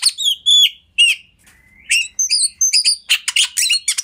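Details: Kacer song as master material: clear drawn-out whistles and a long flat whistle, then a quickening series of buzzy, rattling bursts toward the end.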